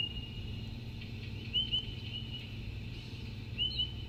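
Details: Spotted pardalote, heard around Canberra, giving its ringing, bell-like call: soft, high two-note whistles, a pair about every two seconds, over a steady low rumble.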